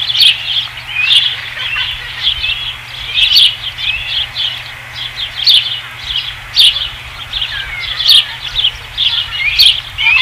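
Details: Osprey at its nest on a ranch, 5 August 2016, evening; thin, high whistled chirps repeated roughly every second in loose bursts, moderately loud over a quiet, steady background hum.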